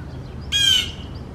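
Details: Common starling at a nest box holding four young, with parents flying in and out on 4 May 2019, gives a single harsh, rasping call of about a third of a second, high and scratchy, over faint hum.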